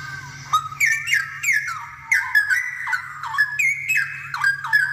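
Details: Loud tutor song of a straw-headed bulbul meant for other birds of its kind to imitate: a continuous run of rich, gurgling whistled notes, each dipping and climbing, about two per second, with a faint steady hum underneath.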